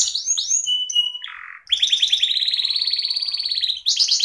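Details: Canary from Central Java, Indonesia, opening with quick high slurred whistles, then a long fast rolling trill of pulsed buzzy notes lasting about two seconds before a sharper, higher trill.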